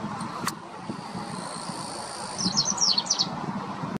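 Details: A White wagtail sings at the Ippongi weir on the Onga River, Iizuka, Fukuoka, Japan, on 9 July 2019 at 16:23: a quick burst of high, sharp twittering notes, about a second long, over a steady rumble of traffic.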